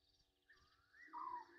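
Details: Egyptian goose at Gowrie dam, Djuma Game Reserve, South Africa, bathing after dark on 27 August 2023 at 21:32: a single loud, hoarse honk near the end, rising out of a soft trilling background chorus.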